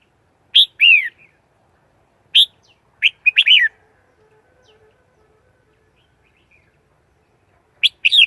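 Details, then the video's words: Red-whiskered bulbul delivering lively chirpy warbled notes in scattered bursts, some with clear downward sweeps, a quick cluster in the middle, then a quiet stretch with a faint steady hum. "Tiếng chim chào mào"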